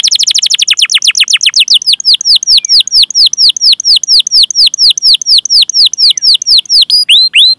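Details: Canary singing a long rolling 'cuit cuit' song for training other canaries: a very fast high trill that slows into steady repeated downslurred chirps, roughly two per second.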